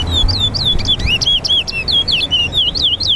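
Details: Lesser seed finch, or towa towa, singing in a bird race between two birds at Lusignan Bird Ground, Guyana. Rapid, continuous run of slurred whistled notes, rising and falling, with a man counting aloud and low rumbling in the background.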